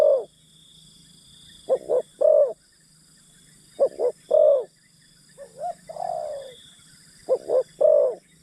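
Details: Decoy spotted dove luring wild birds: four short-short-long coo phrases with a drawn-out falling slurred coo between them, steady high drone in the background.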